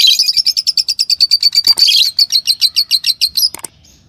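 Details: Normal green Fischer's lovebirds, a pair, producing a rapid run of bright, high chirps, about five per second for three and a half seconds, broken by a harsher note midway and ending abruptly.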